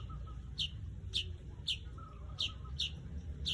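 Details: Weaver uttering short, sharp high chips roughly every half second, six in all, above a steady low background hum.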